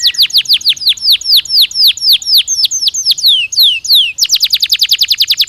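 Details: Stimulating canary song meant to raise bird activity during breeding: a row of loud, sharply descending whistles repeated about three times a second, ending in a very fast, dense trill.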